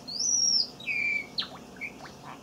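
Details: Caged pet Java sparrow, a young male that learned his song from an older bird, sings a high thin whistled note falling to a lower trill, followed by soft clicks.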